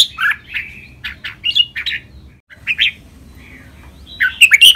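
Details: A captive red-whiskered bulbul gives song-training calls, quick bursts of bright, chattering whistled notes, a short pause, then a louder flurry of sharp chirps over a faint low hum.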